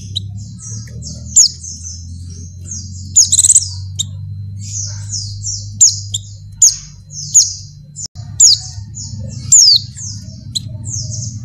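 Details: Breeding female Oriental white-eye calling for a male, a busy run of thin, very high chirps, loud downslurred notes breaking through a near-continuous stream of softer ones, with a low background hum.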